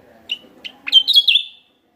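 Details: Javan myna lure call from West Java: two short clear pips, then a loud rasping, squeaky chatter lasting under a second.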